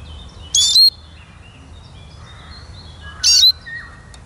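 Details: Eurasian siskin with two bright chirps, each sliding down into a thin whistle, spaced over two seconds apart; faint lower whistles and soft rural background between them.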